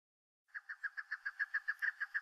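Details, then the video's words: A Chukar calling to the rest of its flock: a rapid series of about thirteen even, clucking chuk notes, roughly seven per second, starting after a brief silence and growing slightly louder, with no other sounds. "Chukar calling"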